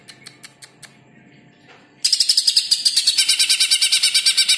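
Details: Greater green leafbird song used as a training recording: a few faint ticks, then a loud, fast, even trill of high sharp notes, about three per second, running to the end.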